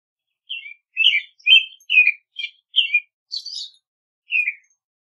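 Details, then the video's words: American robin song: clear, slurred caroling phrases, several in quick succession and then a higher, thinner phrase followed by a pause and one falling note, against a silent background. "American Robin Song! Call! Sound! Singing!"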